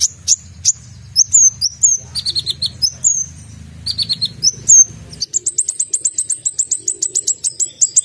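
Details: Brown-throated sunbird, called kolibri ninja, singing a lively song with sharp tembakan fills: thin high slurred whistles and chips, then a fast run of rapid repeated sharp notes in the last three seconds. A faint low hum sits underneath.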